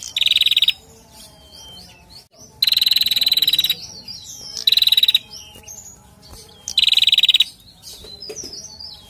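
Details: Call of a bar-winged prinia used to lure the male: fast, buzzy bursts of high ticking notes, each lasting about a second, given four times, over soft chirps and twitters from other birds.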